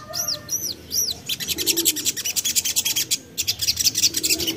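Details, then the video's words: Young Common iora, an untrained bird, recorded as a lure to make other birds sing: high arching whistled notes repeated three times, then a fast run of sharp, even chirps with short pauses. "Ampuh Untuk Pancing Bunyi Burung Sogon Bahan / Sogok Ontong Muda"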